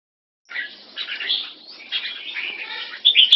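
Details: Caged red-whiskered bulbul of a Singapore-kept mutant crossbreed line singing in a competing display against a rival. After a brief silence come rich warbled, bubbling phrases, rising and falling with short pauses, ending in louder notes and a sharp click.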